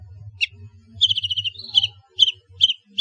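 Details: Long-tailed shrike singing varied fills, used as a lure for reluctant shrikes: a quick rattling run of high notes followed by short sharp chirps, over a steady low hum.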